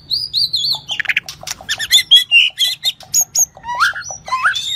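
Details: Song of a shrimp-tailed White-rumped shama in the 'rít thuốc lào' style: wavering high whistles, dry clicking bursts, and a series of short notes ending in rising slurred phrases.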